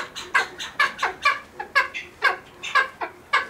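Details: Captive cheer pheasant in a pheasant breeding facility giving rough, raspy clucks, roughly two per second, some notes doubled, irregular spacing.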